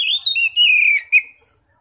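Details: Single loud whistled phrase of Oriental magpie-robin ngeplong song, used to call other magpie-robins, sliding down in pitch with a brief final note.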